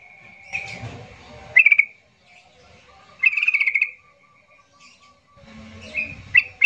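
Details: Yellow-vented bulbul song played to provoke quiet birds into singing: steady whistled tones broken by loud bubbly bursts at about two and three-and-a-half seconds, then a final busy flurry with faint low background noise.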